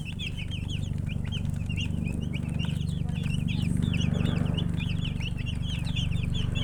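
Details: Many chicken chicks chirping together in a dense, continuous chorus of short, high peeps that bend up and down, several per second, over a steady low hum throughout.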